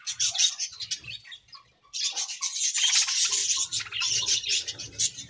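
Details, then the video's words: Contented budgies chirp in quick twittering bursts; a near-silent gap follows, then a loud, sustained wave of mixed warbling and clicking chirps. "Happy Budgies Sounds"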